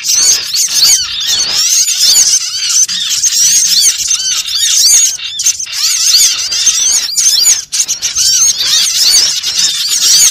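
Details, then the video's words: Dense twittering of many small birds, played as a trapping lure, with high, squealing arched notes layered continuously and unbroken throughout. "suara pikat burung kecil"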